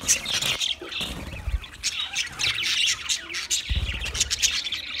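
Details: Twenty pairs of budgerigars chattering together in a dense, continuous flock of high chirps, twitters and squeaky notes, with low thumps and rustles underneath.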